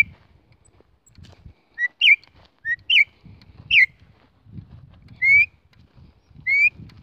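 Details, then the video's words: Female Campo troupial call meant to arouse males: a few pure whistled notes, some slurred up and down, then two longer rising whistles spaced apart, with soft speech in the background. "chamado de femea de corrupião esquenta Qualquer macho ?"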